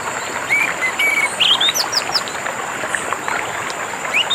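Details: Orange-headed thrush song, paired with water sounds as therapy for birds that stopped singing: bright whistled notes, short slurred rising and falling phrases and quick high upslurs scattered over a steady rushing water hiss.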